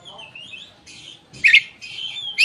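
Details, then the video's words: Koci singing while opening its tail, used as a lure to stir raw or silent koci into song; faint wavering whistles, then a louder chirped burst and a sharp note at the end. "suara burung koci buka ekor||pancingan koci bahan ombyokan"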